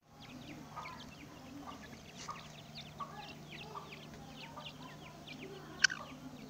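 Grey Francolin giving quick, repeated sharp notes about twice a second, with many short rising chirps over a steady low mechanical hum and one sharp click.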